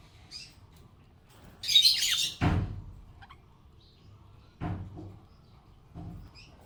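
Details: Happy budgerigar letting out one loud, scratchy chirping burst, then faint twitters. Dull knocking thumps follow in an otherwise quiet room.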